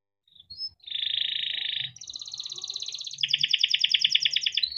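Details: Caged young canary song for tutoring young canaries, with a faint low hum underneath; a short chip, then a sustained buzzy trill, followed by higher rapid rattling rolls of repeated notes.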